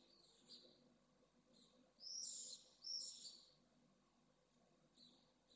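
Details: Pallid swift chick about to fledge at a nest in Jerez de la Frontera, Spain, on a nest camera: rasping, buzzy high calls in short bursts, two loudest around the middle, fainter ones before and after, low background hum.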